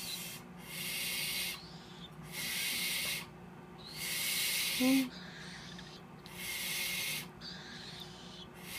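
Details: Three captive young Spix's screech owls, hatched 6–7 March 2014, give harsh, breathy hisses, each about a second long and repeated every one to two seconds, with a short low hum near the middle.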